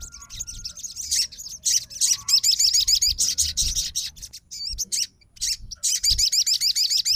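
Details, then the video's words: Fighter sogon calling back at a rival: dense bursts of quick, high, zigzagging notes in several runs separated by brief gaps, with low background noise. "SOGON FIGHTER LANGSUNG RESPON DENGAR SUARA SOGON GACOR"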